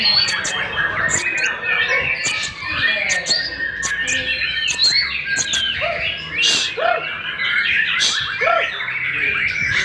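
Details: Jembrang white-rumped shama, a new star singer at a breeding farm, delivering a dense stream of sharp chirps, rapid trills and high whistled phrases, with music playing faintly underneath.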